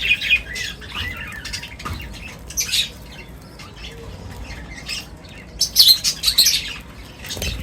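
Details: Birds at feeding time trade sparse high chirps and short whistled notes, separated by quieter gaps. A louder cluster of squeaky tweets comes near the end.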